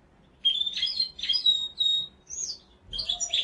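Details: Clear whistled notes from a mosaic canary, a string of pure, level and gently bending tones with a higher swooping note, sung loudly and close.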